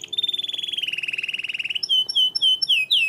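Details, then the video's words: Cenourinha canary in song: a steady rapid trill of about twenty notes slowly falling in pitch, followed by several separate high whistled notes. "Canário cenourinha, cantarolando."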